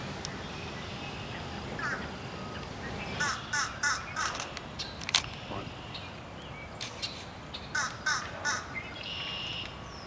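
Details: Two Fish Crow chicks beg with short, harsh, nasal calls in quick clusters of two to four, over a steady background hum. Recorded in July 2018 at the Adamson Estate, South Mississauga, Ontario, at the first successful Fish Crow nest in Canada.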